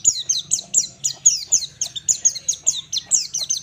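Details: White-eye song in the full ngalas style, used as a master recording for training birds: a steady run of about four sharp, high, downward-slurred notes per second, evenly repeated, over a faint low hum.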